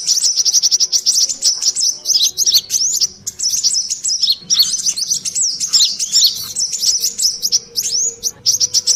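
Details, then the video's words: High, busy chattering of a brown-throated sunbird used as a lure, sogon ontong ribut style: rapid squeaky chips and twisting slurred notes tumble together almost without a break. "suara pikat burung Kolibri Klapa/sogon ontong ributt,paling Jitu."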